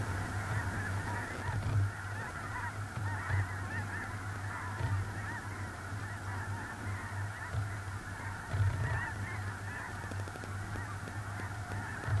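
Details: Snow geese by the thousands on a small lake in central North Dakota, early November 2021: an unbroken clamour of short, high honks swelling slightly at times, with gusty low wind noise.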